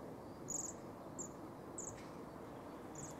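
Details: Bohemian waxwings in Griffithstown, Pontypool, Wales, during the winter 2016/17 irruption give thin, high, ringing trills in short bursts about every half second to second, over a steady low rumble of background noise.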